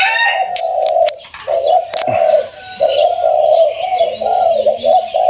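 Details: Newly caught captive Spotted Dove, held one to two weeks, described as having a mid-to-large voice; a mellow, slightly wavering coo in sustained notes of about a second each, repeated with short breaks, with faint high chirps from other birds behind.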